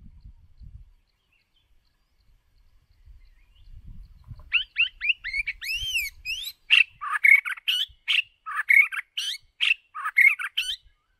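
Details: White-rumped shama decoy bird singing for voice training: after faint low rumbling, a run of loud whistled notes and rising slurred phrases, then dense repeated buzzy, chattering notes at a quick, uneven pace.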